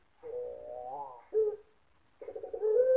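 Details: A puter pelung dove in a bird-song contest in Sragen, Indonesia, October 2021: low, drawn-out hollow coo that rises slightly, a short dropping note, then a pulsing throaty coo ending level.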